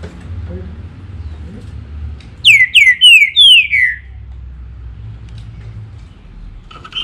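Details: Green-winged saltator delivering a strong whistled phrase of five descending, slurred notes packed into about a second and a half, preceded and followed by low background hum and faint distant chirps.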